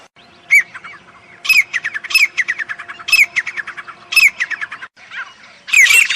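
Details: Grey francolin calling in the jungle: loud, harsh, squeaky bursts of rapid notes in phrases about one second apart, with a brief quieter gap before a final burst over a faint steady hum.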